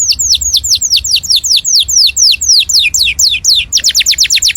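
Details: Canary song played loud for other birds to imitate: a quick series of clear whistled notes sweeping downward, repeated several times a second, ending in a faster, tighter run of sweeps.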